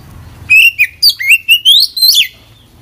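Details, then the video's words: Kacer, the Oriental magpie-robin, singing hard with inserted phrases; a single bright whistled phrase of rising, sliding notes lasting under two seconds, with low background rumble before and after. "kacer gacor full isian"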